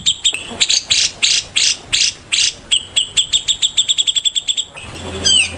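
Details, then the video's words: Morning song of a white-rumped shama: loud rasping buzzy notes give way to a fast, accelerating string of crisp ticking notes, ending in a brief rising whistled flourish over a steady low hum. "Murai Ngalass SEDANG NGOCEH DIPAGI HARI"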